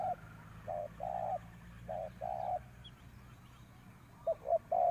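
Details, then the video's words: Spotted dove kept as a decoy, cooing in short-then-long paired notes, pausing, then resuming with quicker, sliding coos, over low steady background hum and a faint chirp. "chim cu mồi gáy gọi bổi"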